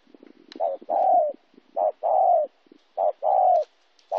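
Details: Spotted dove from Kon Tum, Vietnam, 26 January 2016. It gives three paired phrases, each a brief clipped note followed by a drawn-out mellow coo, with faint low murmuring before the first pair.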